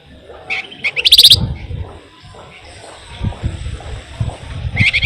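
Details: Lure recording of a lively flamboyan. Quick sharp chirps lead into a brief, loud, rapid trill, followed by a quieter pause with low background noise and a final short bright burst.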